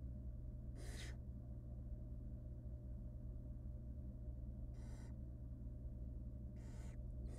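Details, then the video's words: In a nest box, wild barn owl nestlings being fed rabbit by the female give three separate hoarse, hissing screeches a few seconds apart, each short and breathy, with a low mechanical hum throughout. "Female barn owl feeds her nestlings tiny pieces"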